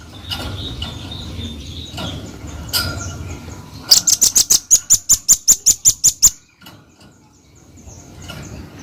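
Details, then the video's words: Velvet-fronted nuthatch delivering a rapid series of about twelve high, sharp chips at a steady quick pace, preceded by scattered faint notes and background murmur, then fading into soft noise. "Suara Khas Burung Rambatan Paruh Merah Gacor"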